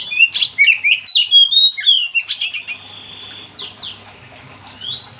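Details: Oriental magpie-robin singing strongly, meant to get other magpie-robins singing too: a rapid, varied burst of sharp chirps and whistled slurs at a steady fast rate, then quieter scattered notes and a thin sustained whistle.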